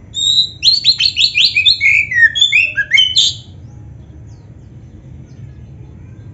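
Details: Black-breasted oriental magpie-robin song used as a tutor recording to prompt caged birds to sing: about three seconds of quick, varied whistled and chirping notes, some rising, some falling, then a quiet pause with low background hum.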